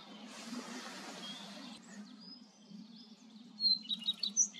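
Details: Common redstart song: a few thin, high whistles, then a quick burst of bright, scratchy twittering notes, over a steady low hum, with a rush of wind or rustling at the start.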